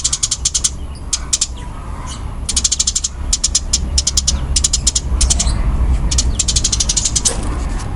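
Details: A fighting-type Eurasian tree sparrow, locally burung gereja tarung, giving repeated short bursts of rapid, sharp high chirps separated by brief gaps, with low background rumble throughout.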